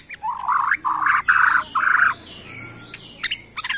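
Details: Bornean white-rumped shama from the Kalimantan forest, singing to provoke rivals: warbled mid-pitched phrases in three or four bursts over a steady background hiss, followed by scattered sharp clicks.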